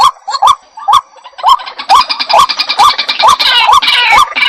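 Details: Jal murgi, the white-breasted waterhen, repeating a croaking rise-and-fall note about twice a second while a second, rougher and higher chattering voice joins partway through and keeps going beneath the calls.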